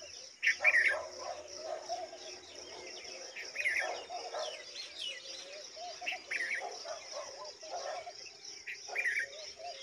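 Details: Red-vented bulbul bringing a big mantis to its young, with bright chirps and rising whistled notes at irregular intervals, several louder bursts, over constant buzzing background noise.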